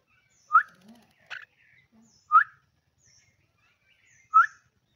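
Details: Pet common myna calling while its owner urges it to talk. Short, loud, rising chirps are repeated about every second or two, with quieter soft notes between them and the owner's voice nearby.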